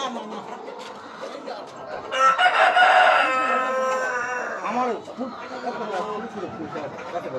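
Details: Super hybrid hens laying eggs in boxes on a poultry farm. Low clucks lead into a loud, strained, harmonic squawk lasting about two seconds. Softer bubbling clucks follow, with a faint voice in the background.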